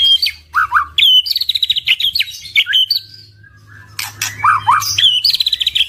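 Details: White-rumped shama singing to draw other shamas into song: dense rattling trills and sharp rising whistles, lower looping slurred notes, a quiet stretch near the middle, then renewed trilled bursts with a steady low hum behind.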